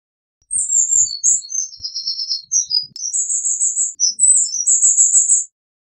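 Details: Loud Eurasian wren song of high, sharp notes changing pitch rapidly, then a long, even trill and more shrill phrases, about five seconds in total, with soft low knocks early on.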